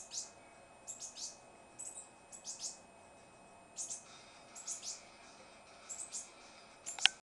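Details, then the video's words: Green-headed tanager kept as a pet, noisy and calling: bursts of sharp high chips and thin descending tseep notes in small groups separated by pauses, ending with a loud click-like knock. "Saíra Sete Cores chamando, cantando, fazendo barulhos"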